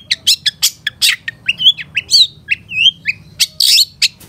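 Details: Caged long-tailed shrike training recording with full fill-in phrases in the one-perch style. Rapid harsh chips alternate with sliding whistles and squawky notes in a busy, continuous chatter.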